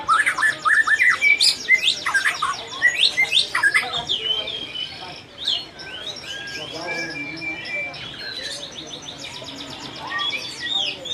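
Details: White-rumped shama pouring out a fast, varied medley of sharp whistles, chirps and warbles, busy at first, softer in the middle, with scattered bright notes returning at the end.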